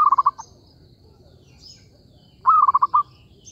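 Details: Trapping lure recording of a zebra dove: two quick rolling coo phrases, each a short drawn note dropping into a rapid string of four or five staccato pulses, separated by a quiet pause with faint bird twitters.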